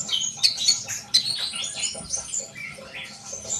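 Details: Fast sunbird chatter of squeaky, thin notes, strongest early on and then trailing into softer twitters with a faint rustle behind.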